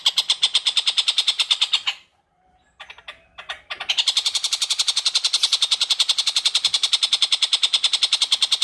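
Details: Long-tailed shrike's harsh, rapid repeated notes, paused briefly by a couple of softer sounds, then resuming in a dense steady chatter; used as a training track for oriental magpie-robins.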